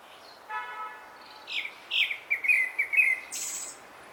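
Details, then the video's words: A Grey-backed Thrush sings a quick phrase of clear, falling whistles ending in a thin high twitter, after a brief nasal, buzzy note. "되지빠귀 ( 노랫소리) Grey-backed Thrush ( birdsong )"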